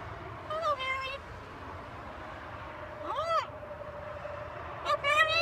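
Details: Talking macaw giving three short, squeaky, word-like utterances with sweeping pitch, spaced about two seconds apart, against a constant faint hum and background hiss.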